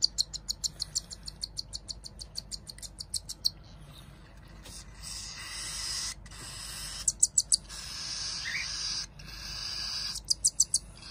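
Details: Cockatiel chicks being hand-fed, bursts of fast, high begging chirps separated by stretches of hissing, rasping noise.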